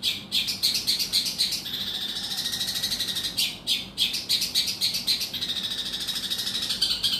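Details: Long-tailed shrike giving a harsh, rapid chattering song of high scratchy notes, three or four per second, in long bursts with brief pauses, used to provoke another shrike into singing.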